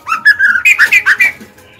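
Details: Captive female white-rumped shama singing to draw out males: a loud, rapid string of clear whistled notes, about seven in under two seconds, slurring up and down in pitch.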